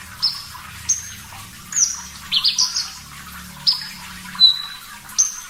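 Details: Javan bush lark, a clear master recording meant for training birds: sparse high whistles and chirps, with a brief quick cluster in the middle, separated by quiet gaps of about a second.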